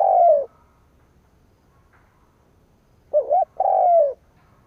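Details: Spotted dove kept as a decoy, calling to goad wild rivals. The tail of one coo is followed, after a pause, by a full phrase: a quick wavering double note, then a drawn-out mellow coo that sags at the end.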